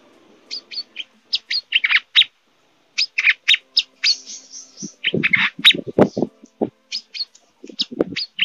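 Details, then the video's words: A Brown-throated sunbird in breeding excitement gives sharp, high chirps and quick twittering notes in rapid bursts. Lower knocks and rustling join in during the second half. "Burung KOLIBRI MANGGAR OVER BIRAHI"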